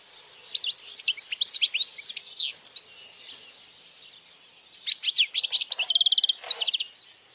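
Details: Loud European goldfinch song played for young birds to learn: a run of fast tinkling, swooping notes, a pause of about two seconds, then a second phrase ending in a rapid buzzy trill.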